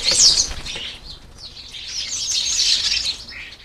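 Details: European starlings at a UK garden feeder, competing for food: harsh, scratchy high chirps and squeaks, a loud burst at the start, then a dense run of overlapping chatter in the middle, with faint wing flutters.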